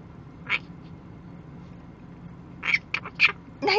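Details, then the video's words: Indoors, a chatty nine-month-old male pet monk parakeet, kept in a Spanish-speaking home, gives a few short, harsh squawky notes: one alone, then a quick burst of four near the end, over a quiet background. "Quaker Parrot Monty, 9 months old, being chatty and adorable!"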